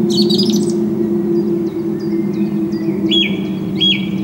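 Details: A song thrush sings on 6 April 2010, filmed with a Canon HF200 camcorder: opens with a scratchy, buzzy high burst, then soft ticking notes and a clear flat whistle repeated twice, against a low droning hum.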